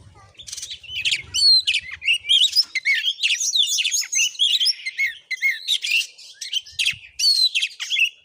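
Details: Fighting Oriental magpie-robin recorded in Padang Gading village, Bengkulu province, Indonesia; energetic torrent of sharp whistles, trills and harsh chattering notes delivered in quick bursts separated by brief gaps.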